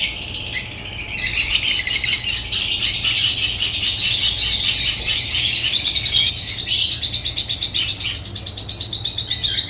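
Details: African lovebirds chatter nonstop, a rapid pulsing run of shrill, piercing chirps and squeals that grows denser after the first second, over a constant low hum.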